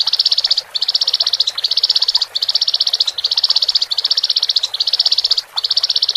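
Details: A male and female Horsfield's bush lark in song, meant to settle a newly caged bird: rapid, buzzing high trills, each about half a second long, repeated with tiny breaks, about four pulses per second.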